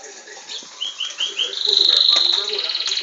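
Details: Captive Belgian canary singing: a few short rising whistled notes, then a bright sustained high trill with a fast pulsing roll.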